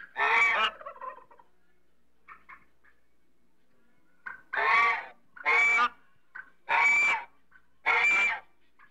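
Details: African geese calling: loud, harsh, nasal honks, five strong blasts in a row after a pause, with faint softer notes between.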